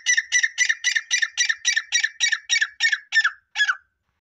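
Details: Grey francolin calling: a long run of about thirteen rasping, repeated notes, fast and steady at first, then slowing, with the last two notes spaced farther apart before silence.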